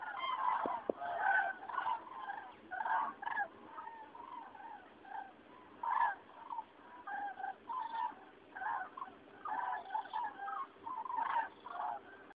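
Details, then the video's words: Migrating common cranes over Rochechouart, France, 15 February 2013, a passage announcing spring; a chorus of bugling, rattling calls from many birds in short bursts, fainter and more distant, with a low steady hum beneath. "Passage de grues à Rochechouart"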